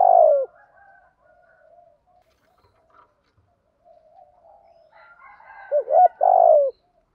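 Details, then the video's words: Spotted dove urging coo in the Thổ voice style, meant to trigger long-silent captive doves to sing; one loud falling coo starts, soft muttering fills the middle, then a quick double note and a long throaty coo. "cu gáy giọng Thổ thúc gù bài bản giọng hay"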